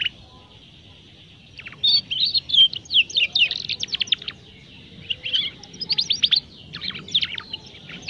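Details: Juvenile canary practising its song, quiet at first, then two long bursts of fast, twittering chirps and short trills separated by a brief pause.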